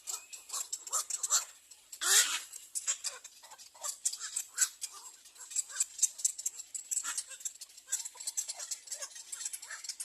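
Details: Little egret chicks at their nest screaming for food: harsh, raspy, noisy bursts in rapid irregular series, one louder burst near the start, constant thin high hiss throughout.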